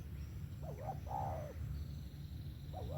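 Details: Faint, soft coos of a spotted dove, a short hooked note and a longer falling one, then another brief coo, largely buried under loud low-pitched rumble and a faint high whine.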